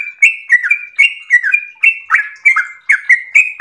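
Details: Energetic 'ropel' song by a trucukan, the yellow-vented bulbul: crisp chirps sliding into short sustained whistles, repeated roughly every third of a second in a continuous bubbling stream.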